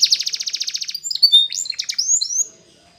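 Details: Spanish Timbrado canary training song: a fast, even rattling trill of about twelve notes per second, then twisting whistled phrases and short glides before falling silent.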